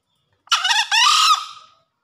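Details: Male green junglefowl in breeding condition crowing after a heavy downpour: a harsh two-syllable call, a short rasping note, then a longer scratchy note that fades, lasting just over a second, with nothing else audible.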